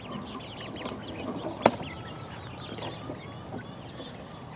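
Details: Chicks four weeks old peck about while uttering many short, high, looping peeps in quick overlapping series, with one loud sharp knock near the middle and a low background hum.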